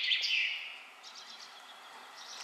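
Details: Common chaffinch, one of New Zealand's most common introduced passerines, found through beech forests: a bright, high burst of rapid notes lasting under a second, then fainter scattered high chips over a quiet background.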